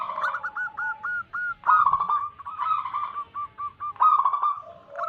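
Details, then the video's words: Wild local zebra dove song used as a lure to attract wild doves: rolling, bubbling coos near 1k pitch, repeated in rapid trilled series, several phrases overlapping with faint low background noise. "Lokal Alam gacor pancingan pikat burung perkutut"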